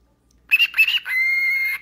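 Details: A talking Lutino cockatiel gives two quick, raspy speech-like syllables, then a long steady whistle.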